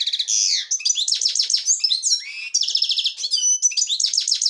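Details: Black-headed European goldfinch singing the devonash song style: a dense, fast run of high tinkling trills and buzzy twittering notes, with short rising and falling slurred whistles woven between rapid repeated chirps.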